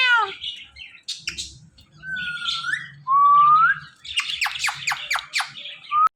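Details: Talking pet Indian ringneck parakeet mixing clear rising and falling whistles with harsh squawks and a rapid run of sharp clipped chatter notes, ending on a brief whistle.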